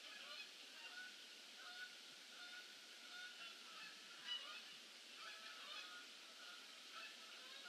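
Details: Geese arriving for the evening stay in late November: a dense chorus of many overlapping honking calls from a large flock, continuous throughout with no pauses.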